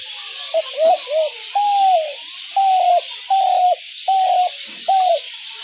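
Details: Spotted dove calling, a sound used to draw doves into traps: quick clipped coos lead into a run of sustained, even, hollow coos repeated roughly every 0.8 seconds, with background hiss.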